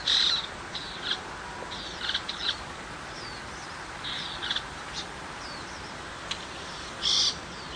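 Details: Rural tiger shrike calling: scattered short, scratchy, high notes in small clusters, with a louder harsh burst near the end, all over constant background hiss.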